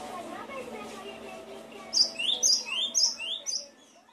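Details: Cinereous tit recorded as training material to prompt lazy caged birds to sing. Low, voice-like murmuring fills the first two seconds. A quick burst of high, sharp chirping notes follows, about eight in a second and a half, before fading out.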